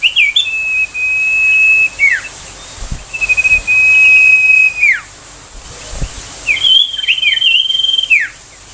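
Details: Ashy tailorbird (sirtu) 'tembakan' song, used as a tutor for magpie-robins and to draw young tailorbirds into song: long, steady high whistles, each ending in a downward slur, followed by a quick burst of twisting notes.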